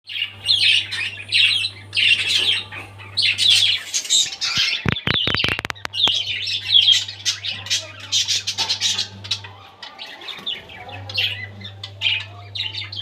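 Budgerigars chatter busily with dense, scratchy chirps and squawks that overlap continuously.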